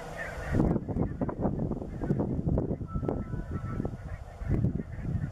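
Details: Greenland white-fronted geese at Kinnabus on Islay, a flock including a radio-collared bird and orange neck-collared birds; bursts of honking, yelping calls overlap in quick succession over heavy low rumbling noise.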